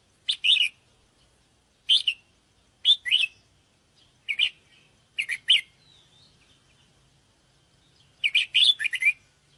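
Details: Luring call of a sooty-headed bulbul: a string of short chirped notes and paired chirps, then a longer bubbling phrase near the end.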